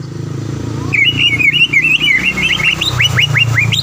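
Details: Green leafbird lure song intended to provoke a rival to sing: a fast run of twisting whistled notes that turns into sharp upward-flicked notes near the end, over a loud, low rumbling background.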